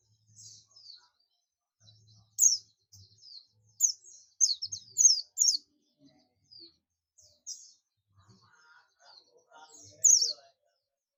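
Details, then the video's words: Oriental white-eye of buxtomi type calling companions with ngalas: rapid runs of high, thin, down-slurred chirps building to a dense burst, then softer scattered notes and light tapping sounds. "pleci buxtomi ngalas ‼️ pleci lain pasti ikut ngalas"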